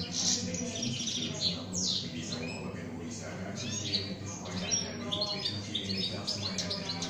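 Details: European goldfinch kept as a pet, in şak şak style song: scratchy, buzzy twitters and high chirps come in bursts with short gaps, mixed with rustling and a constant low background hum.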